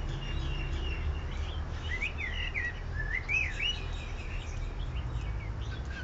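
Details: Male songbird delivering one of his songs with varied endings: warbled, swooping whistled phrases with rising and falling notes, set against constant low rumbling background noise.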